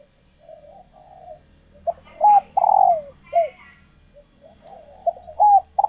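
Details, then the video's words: Caged female spotted dove in laying condition, calling to stimulate males: soft low murmuring coos build into loud, clear hooting coo notes in short runs, with a faint hum beneath. "Tiếng Chim Cu Gáy Mái Chuẩn Kích Trống"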